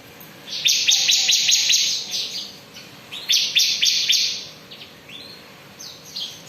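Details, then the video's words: Bar-winged prinia (ciblek) singing continuously in the ngebren style: bursts of harsh, buzzy high notes repeated rapidly in runs lasting about a second, with short pauses between runs and faint lower sounds in the background. "Ciblek beraksi suara ngebren"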